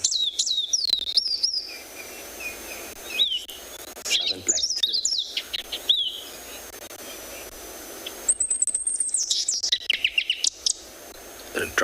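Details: South African Sabota lark in a played recording, mimicking flycatcher, southern black tit and drongo among others; long continuous run of high whistles, chips and trills, with a lower scratchy patch midway.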